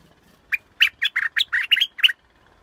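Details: Scarlet-backed flowerpecker delivering a longer run of about eight crisp, clipped chipping notes in quick succession, clear and close, with little background noise.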